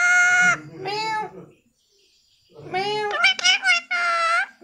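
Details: Talking parrot giving high-pitched, speech-like phrases, each a clear tone with strong harmonics: a long note, a shorter one, a pause of about a second, then a quick run of three or four syllables, indoors.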